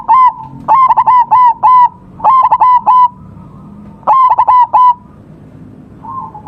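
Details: Local zebra dove singing near a DIY bird trap: bursts of four to five loud, staccato cooing notes with bright overtones, repeated in three phrases, with softer distant cooing from other doves between them.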